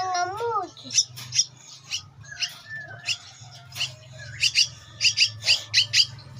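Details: Two-week-old buffalo myna chick being fed, giving harsh, buzzy begging squawks in rapid bursts, with low harmonic calls at the start and a steady low hum underneath.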